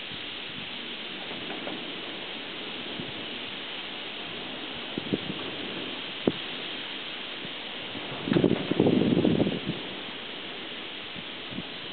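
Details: Steady hiss with scattered clicks and a brief rustling burst; no animal calls stand out.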